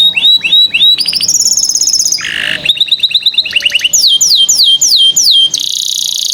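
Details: A canary sings to prompt young canaries into song: a few rising whistled notes, then fast trills, a harsh buzzy burst, and steady rows of sharply falling high slurs repeated about twice a second.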